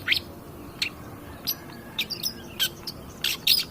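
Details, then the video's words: Long-tailed shrike used as a lure recording to provoke other birds: sparse, sharp high chips and short buzzy notes spaced by gaps of under a second, with a few quick twittering phrases. "pancingan cedet pastol gacor"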